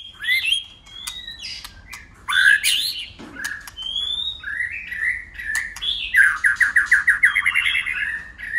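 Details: White-rumped shama in enduring fighting song, switching voices: tumbling bright whistles, a smooth rising whistle, scattered clicks, then a fast rolling trill of repeated notes.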